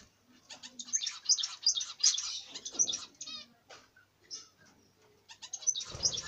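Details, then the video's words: Budgerigar chatter: rapid, scratchy warbles and high chirps in uneven bursts, with a brief pause before a final flurry. "Budgerigar bird"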